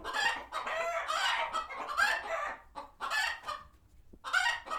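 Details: Flock of sanctuary chickens alerted by a passing hawk and heading for their coops; loud overlapping squawking clucks for two seconds, then separate sharp bursts with brief pauses between.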